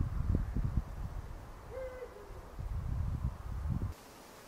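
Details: Distant Eurasian eagle-owl, recorded with a Fujifilm X-T4: one muffled hoot breaking into a lower second part. Strong wind buffeting before and after it, then sudden quiet near the end.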